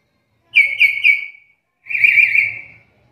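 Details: Black-capped lory whistling: three quick clipped notes run into a level tone, then a longer wavering whistle, a call prized as a master for training songbirds.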